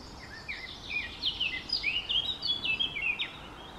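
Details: Eurasian blackcap singing a quick, varied warble of short whistled and slurred notes that grows louder and livelier over about three seconds before stopping abruptly, with a steady soft hiss in the background.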